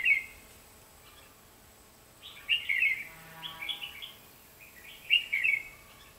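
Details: Decoy red-whiskered bulbul singing during trapping on 23 October 2016: three rich, warbled whistled phrases about two and a half seconds apart, each a quick tumbling cluster of notes, over a quiet steady hum.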